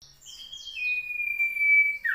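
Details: Common iora recorded on Monday 15 June 2020 in South Malang: a short higher note drops into one long, clear drawn-out whistle held steady for over a second, then a brief falling slur; otherwise quiet.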